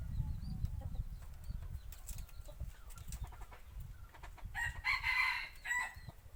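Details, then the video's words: Decoy rooster kept for hunting in the forest, crowing: a short hoarse harmonic crow late in the clip over rustling, handling noise and faint distant bird chirps. "Tiếng gáy gà mồi"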